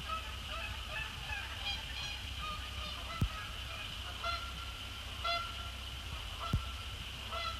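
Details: Canada geese, resident and migratory, flying in after sunset to land on Sapsucker Woods Pond; faint nasal honks come in loose bursts through the clip, with two sharp clicks, low rumble and a steady high hiss.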